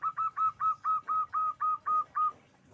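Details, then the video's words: Perkutut, known in English as zebra dove, in energetic song: ten clean, evenly spaced notes, each rising briefly then holding steady, delivered at about four per second before falling silent. "Suara perkutut gacor"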